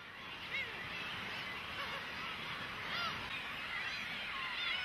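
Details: Cormorant chicks demanding food from their parents: a dense, continuous chorus of high, squeaky arched calls overlapping throughout, with a few clearer rising-falling notes standing out.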